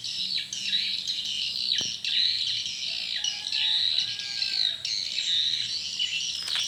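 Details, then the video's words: Swiftlets responding in the evening at a small swiftlet house: continuous high, buzzy twittering and chirps, with a faint low tone and background hum. "Burung walet respon di Rbw mini"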